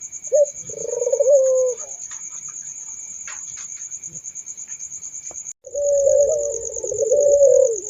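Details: Barbary dove giving one rolling low coo, then a pause filled with faint ticks and a high whine, before cooing resumes near the end.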